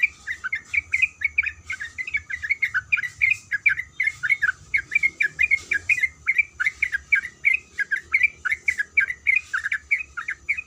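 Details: Continuous chattering by a female sooty-headed bulbul calling for a male: dense, fast-repeated chirps with short slurred notes, steady throughout, over a soft low hum.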